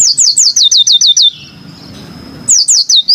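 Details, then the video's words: Fast chain of eight descending high whistled notes from a yellow-fronted canary, a short low-noise gap, then the same repeated notes resuming. "kicau burung MOZAMBIK super jernih"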